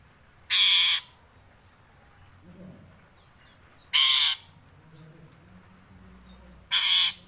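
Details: Jalak suren (black-collared starling) uttering three loud harsh rasping screeches, each about half a second long, spaced about three seconds apart over quiet background.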